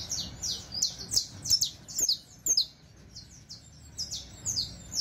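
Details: Saffron Finch singing for teaching: rapid phrases of high, bright, downslurred notes, about two per second, falling into short pauses and starting again.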